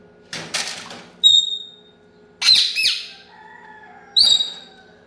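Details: Indian ringneck parakeet, angry, giving loud harsh squawks in bursts about 1 to 1.5 seconds apart, each a rasping screech with a high piercing tone, separated by short quiet gaps and softer lower notes near the end.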